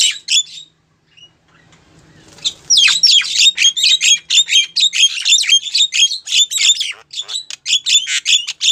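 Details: Female Javan myna calling a male: after a quiet start, a dense run of harsh, squeaky, high chattering notes with sharp whistled overtones, repeated rapidly and irregularly about four per second.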